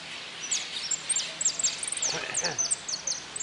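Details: Goldfinch singing in a contest at an interclub cup closing, 04-03-18: quick high, thin, descending whistles and chips repeated rapidly, with a brief human voice overlapping midway.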